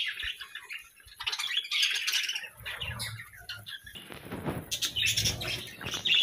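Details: Pet parakeets give a busy mix of high chirps, squeaks and chattering warbles, rising into louder scratchy notes toward the end.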